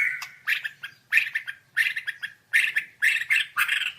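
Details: Murai batu, the white-rumped shama, giving rough, grating squawks in uneven clusters over a faint low hum.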